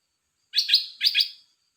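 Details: Red-whiskered bulbul, kept in a cage, sings two quick liquid warbling bursts, each made of paired rich notes, with silence before and after.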